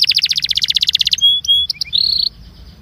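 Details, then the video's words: Belgian canary singing an incarte meant to warm up canaries. A fast pulsed trill repeated about fifteen times, then a clear steady whistle, short chips and a buzzy held note. "INCARTE para esquentar canario belga"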